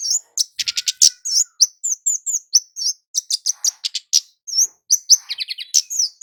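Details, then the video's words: Kemade jawa (flowerpecker) calling actively, used as a lure for males and females: rapid, sharp high chirps and short downslurred ticks in quick irregular bursts, with a few buzzy trills. "Burung kemade jawa gacor PIKAT ampuh buat pancingan cit keres jantan betina agar cepat bunyi ngalas"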